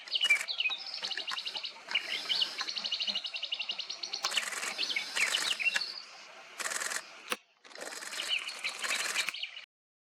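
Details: Swamp grass babbler, a rare bird, delivers a long run of rapid chattering and warbled high notes broken by brief gaps and loud crackling bursts.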